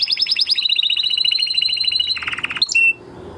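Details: Male canary in song after the moult, delivering a long rapid trill of evenly repeated notes that steps down in pitch into a harsher rolling phrase, closing with a short high whistle.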